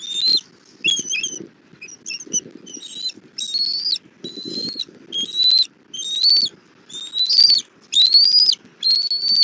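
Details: Bald eagle mother bringing food to her chick at a Southwest Florida nest, 17:30, 1 April 2024: a steady series of high, thin, upslurred whistles roughly once a second, growing louder, with faint low rumble between them.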